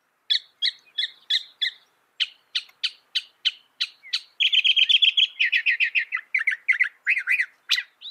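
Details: Northern mockingbird that can reproduce 200 sounds, mimicking other birds. Spaced sharp chirps at first, then a dense fast chatter of short repeated notes with changing phrase types.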